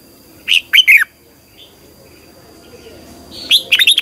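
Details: Red-whiskered bulbul competition-style song for morning training: a short phrase of two or three warbled whistles, a pause, then a faster run of bouncing notes.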